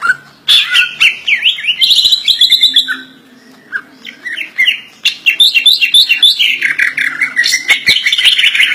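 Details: Greater green leafbird, a kept bird, in a full isian song packed with imitated phrases: loud, rapid sequences of bright whistles and chattering slurs that swoop up and down, broken by one short quiet gap.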